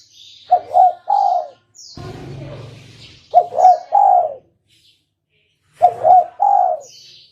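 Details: Spotted dove (tekukur) voice used to lure birds into a trap. Three repeated phrases of two brief coos and a longer descending croo, roughly every 2.5 seconds, broken by a loud low rumbling thump.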